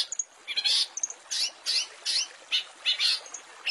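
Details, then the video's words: Master recording of a long-tailed shrike with fill phrases: harsh scratchy bursts alternating with thin high notes, rhythmic and repeated about every half second. "Masteran Cendet full isian mewah"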